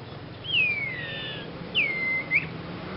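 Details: Young sirpu bird giving an odd-sounding song: two clear whistles, each starting high and sliding down into a long drawn-out tone, the second ending in a quick upward flick, over a low steady hum.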